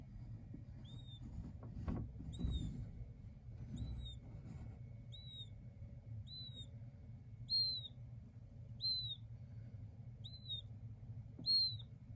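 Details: Chicks of the king quail peeping steadily: about a dozen high, thin, downslurred whistles at irregular one-second gaps, with rustling and tapping early on and a quiet low hum.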